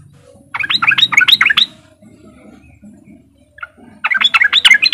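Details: Riwik song of a yellow-vented bulbul, used to prompt other untrained bulbuls to join in: a rapid run of bright, chattering notes for about a second, a gap with faint low background, then another fast run.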